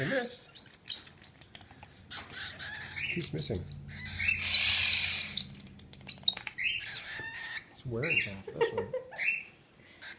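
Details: Young cockatiel begging during hand-feeding: long, noisy, grating hisses rising and falling in intensity, with brief squeaks and a person's quiet voice in between.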